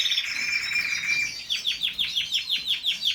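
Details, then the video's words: Singing canary: a bright warbled phrase, then a rapid series of about a dozen repeated downslurred high notes in an even roll. "canary bird-kanarienvögel-الكناري- کەناری"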